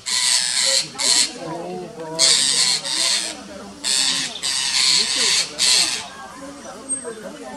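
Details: Wild Rose-ringed Parakeets mobbing a rat snake and nipping its tail in Gir Forest, Gujarat, India, on 3 April 2015: harsh, broadband screeches in half-second bursts, repeated in clusters, with people talking and commenting underneath.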